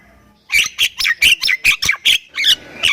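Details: Thai-type Javan myna, recorded as a master for training other mynas, bursts into a loud series of eight harsh, squawky notes after a near-silent start, followed by a noisy chattering phrase.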